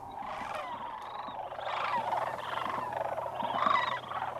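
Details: Wintering sandhill crane flock at Whitewater Draw Wildlife Area, southern Arizona. Loud, harsh rolling bugles from many birds overlap, building in the second half, with scattered clicks beneath.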